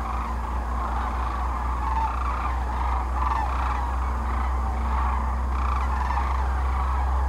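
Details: Massed sandhill cranes at their spring gathering on the Platte River in central Nebraska, mid-March 2009, resting before northward migration; a dense, continuous chorus of overlapping rolling calls with a steady low rumble beneath.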